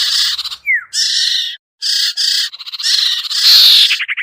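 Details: Iora, known locally as sirtu or sertu, in a lure recording meant to bring hard-to-lure birds down: harsh buzzy chattering bursts alternate with rapid trills and one short falling whistle.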